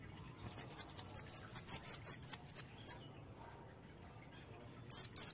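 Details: Sunda white-eye (konin) singing vigorously in the 'tembakan' shooting style: a quick run of about a dozen high, sharp chirps, then a pause and two more bright notes at the end.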